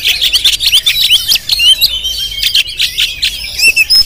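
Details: Oriental magpie-robin of the jampang type, a kept songbird, in a lively, varied song of rapid high chirps, short whistles and scratchy notes packed densely with brief pauses, with faint low background rumble.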